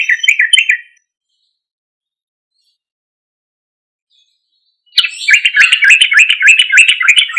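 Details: Yellow-vented bulbul in loud, prolific song, used as a lure to get untamed or silent bulbuls to respond: a bright chattering phrase, a four-second pause, then rapid bubbling notes repeated about three per second.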